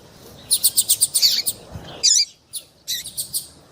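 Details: Female double-collared seedeater call meant to make the male sing, popular with tournament breeders: a rapid string of about seven high chirps, then a sharp downslurred note, followed by a few scattered chirps.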